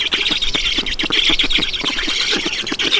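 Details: Black storks in Estonia at the nest during a feeding, 7 June 2019, 16:18. Quick, rasping squawks repeat in a tight, chattering series for three seconds, with a faint low rumble beneath.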